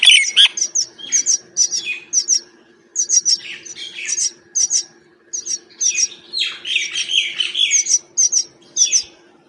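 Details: Common myna calling in the wild while feeding, giving many different sounds: rapid runs of sharp, high chirps and squeaky whistles, broken by brief gaps, and a louder stretch of rasping chatter toward the end. A faint steady hum sits underneath.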